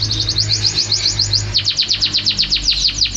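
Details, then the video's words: Champion canary singing a fast, even series of high downward-sweeping notes, roughly eight per second, that shifts into a quicker run of similar slurred notes after 1.5 seconds. A low steady hum runs underneath. "Suara Kicauan Burung Kenari Juara"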